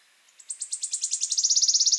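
A Wood Warbler sings a high, thin series of about twenty ticking notes that speeds up into a shivering, even trill, with no other sounds.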